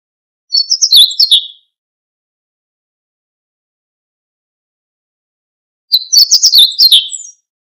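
Meadow bunting singing two quick, high phrases of twittering, jumbled notes, each about a second long, with a pause of several seconds between them.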